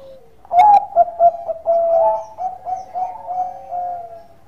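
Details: Zebra dove of the Bangkok type singing its mellow lure song: three sharp opening coos, a long steady note, then several shorter pulsing coos at the same pitch.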